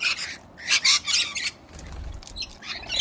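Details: Rainy-day corellas squabbling, one kicking another: short, rasping squawks in a quick series, a pause with low rumbling, then fainter harsh calls.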